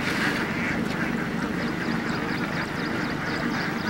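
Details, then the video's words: A crowd of Indian ducks feeding in dam water, with a busy run of overlapping quacks and a few short sharp higher notes over a steady background rumble. "Ducks indian ducks Hundreds of ducks feeding in water"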